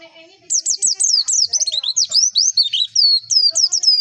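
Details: White-eye (pleci) lure song meant to prompt birds to open their beaks and sing: a continuous, rapid stream of very high, slurred descending chirps and twitters for about three and a half seconds, with no other clear sound.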